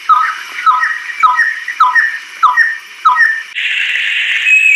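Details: Banded kingfisher, adult female, native to Southeast Asian lowland rainforest; a run of six sharp downslurred whistles at roughly half-second spacing, ending in a burst of hissy noise.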